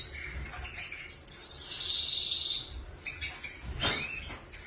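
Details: Canary singing a sustained, wavering whistled trill high in pitch that holds steady for about two seconds, then breaks into sharp chirps and quick rising notes, with faint low rumble underneath.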